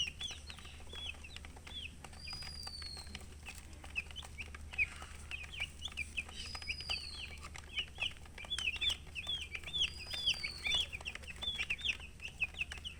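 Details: A flock of young chickens chirping continuously, with dense, high, wavering peeps that grow busier in the second half, over a soft mechanical hum.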